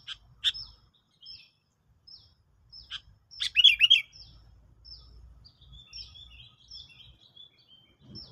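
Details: Sooty-headed bulbul lure song used in a trapping test: thin high chirps repeated every second or so, with one louder bubbly, gurgling phrase midway and faint low rumble beneath.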